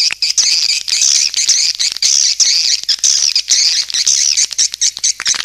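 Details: Lure call of swiftlets, heard as a steady shrill buzzing twitter of fast overlapping chirps, pulsing roughly twice a second without a break.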